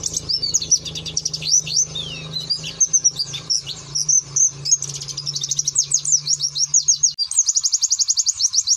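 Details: Fast, high 'nembak' song of a white-eye: a long rattling series of twisting chirps, some sliding down, that turns into an even quicker, regular trill near the end, over a low hum that stops late on.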